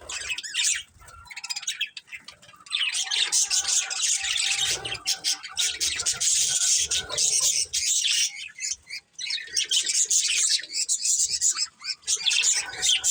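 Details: A flock of colourful budgies keeps up a long, dense chatter of high warbling, buzzy chirps and tweets, many birds overlapping with only brief dips in loudness.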